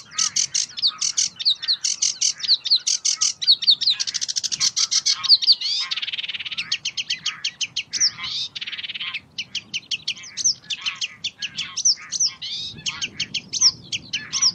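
Sedge warbler in a long, hurried song of scratchy chatters, high buzzy trills and sharp repeated notes, barely pausing, with no other sounds.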